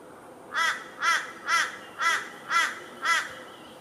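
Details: Grey Butcherbird at Kenmore, Brisbane, Queensland, Australia, 9 December 2015; six harsh, raspy, crow-like calls, about two per second, over faint hiss; a Torresian crow's call is also heard in the recording.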